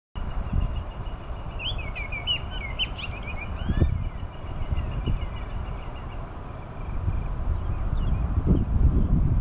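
An oriole gives one short burst of rich, fluty whistled notes, rising and falling, over steady low rumbling noise like wind or distant traffic.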